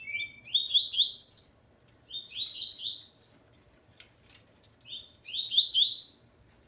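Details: Double-collared seedeater (coleiro), the male paired with his female, delivering three ringing phrases of fast notes that ascend step by step, separated by short silences and a few light clicks.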